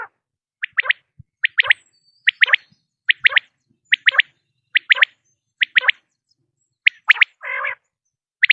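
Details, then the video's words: Common quail call offered as a lure for hunting quail: short, sharp paired notes repeated roughly once a second in a steady series. One brief buzzy rasp comes near the end. Quiet background. "بٹیر کی اواز 1 گھنٹے کی Quail Beautiful voice"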